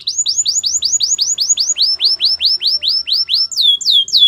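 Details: A white canary delivers a training song: a long series of rising-then-falling swept whistles about four per second, closing with higher, sharper descending notes.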